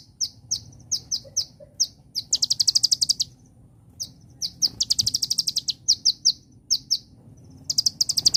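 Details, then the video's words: Kolibri ninja (konin) sunbird singing in the celilin style: high, sharp chip notes repeated in steady series, broken by fast buzzy trills of rapid notes, with short pauses between phrases. "Burung (KONIN) Kolibri Ninja Rasa Celilin"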